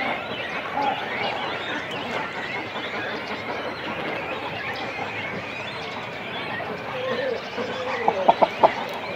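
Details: Cormorant chicks and adults calling on nests in a breeding colony: a dense, continuous wash of harsh, guttural babble, with a few louder clipped calls standing out near the end.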